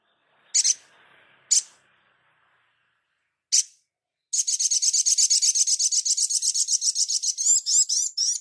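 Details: Crimson sunbird master recording for training cage birds: three isolated high, piercing notes, then a long rapid trill of buzzy, high-pitched pulses at about four per second, ending in sharper chirped notes, with no background sound.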